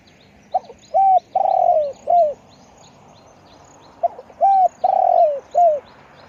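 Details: Two cooing phrases from a spotted dove, repeated about every three and a half seconds. Each has a quick lead note, a rounded coo, a long coarse descending coo and a falling final coo. Soft high bird chirps and low hum continue throughout.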